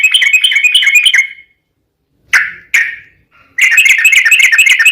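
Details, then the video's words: Yellow-vented bulbul giving ropel panjang, a long rapid song meant to provoke other trucuk into singing. Dense quick trills open and close the passage, with two short harsh notes in the gap between. "trucukan gacor ROPEL PANJANG buat pancingan trucukan agar bunyi JADIKAN burung trucuk gacor SEKETIKA"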